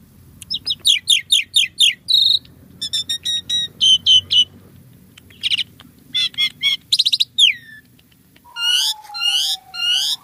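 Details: Asian pied starling singing in prolific gacor style full of rich isian phrases: rapid rattling chirp series, a bright whistle, clustered ticking notes, then sweeping up-slurred whistles over a long, slowly falling low tone.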